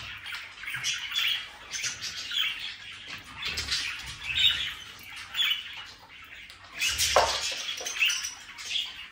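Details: Budgerigars chattering together: a continuous warbling mix of scratchy chirps and squawks, swelling and fading in waves, with soft low rumbling underneath.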